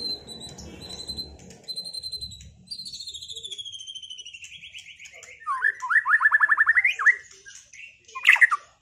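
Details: Caged white-rumped shama singing a duel after moulting: steady high whistled notes, then a long descending trill breaking into loud rapid pulsed notes and a sharp burst at the end.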